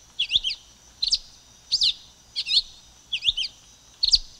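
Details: Silver-beaked tanager song: short, high, slurred double-note phrases repeated a little under once per second, each a quick rising and falling chirp pair, on a quiet background with a faint steady hum.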